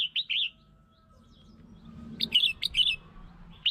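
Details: Song of a red-whiskered bulbul meant to provoke and attract other birds: a brief warble, a pause, then a quick run of bright, rolling notes.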